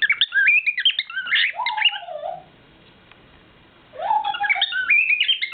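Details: Nightly serenade from a male pet bird: rapid, dense warbling of high whistles and squeaks, broken by a quiet gap of about a second and a half, alongside lower slurred whistled notes from a second pet bird.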